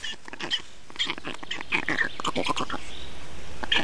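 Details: Black storks in Estonia at feeding time on 2 June 2019: a dense, irregular run of short, harsh, squeaky notes mixed with sharp clicks and rustling, several sounds per second, with a steady low background hum.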